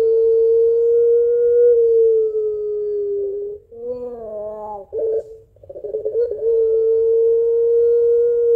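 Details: A barbary dove of the puter pelung kind calls its mate in a long, crying-laughing voice. A steady, level tone holds for over three seconds, breaks into a quavering glide and short bubbling notes, then settles into another long level tone.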